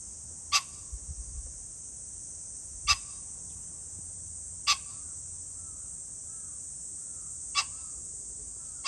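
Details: Pheasant calling on 21 July 2024, with four short, harsh, explosive bursts spaced irregularly over about nine seconds. A steady high insect drone runs throughout, and faint soft whistled notes from other birds are heard between the calls.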